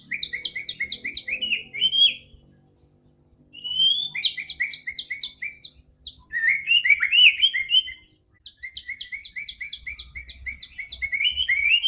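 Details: White-rumped shama, called murai batu, singing to prompt a quiet caged bird to sing: fast bursts of sharp paired chirps repeated in series, with warbled rising flourishes, broken by brief silent gaps.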